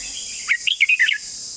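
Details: Red-whiskered bulbul giving one quick, lilting phrase of five or six liquid, rising and falling notes, with a constant high-pitched insect drone behind it.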